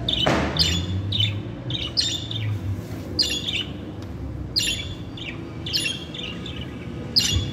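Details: Female and male pet budgerigars chattering, with bursts of harsh, buzzy chirps and squawks in irregular clusters over a steady low hum, plus one loud noisy thump near the start.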